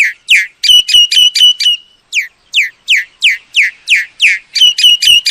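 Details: Old myna voicing quick clusters of ringing, stuttered notes alternating with a steady series of loud, downward-sweeping whistles. The rhythm is brisk, roughly four notes a second, and ends with another ringing burst.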